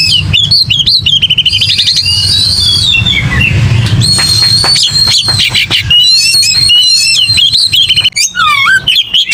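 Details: Fighting song of an aggressive Oriental magpie-robin: long stretches of high sustained whistles and fast rattling trills, then sharp swooping notes, over a faint low rumble.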